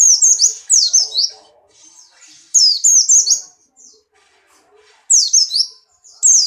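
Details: Breeding-condition Buxtoni white-eye hopping and singing: loud clusters of high, rapid descending whistles come in four bursts spaced roughly two seconds apart, with faint twitters between.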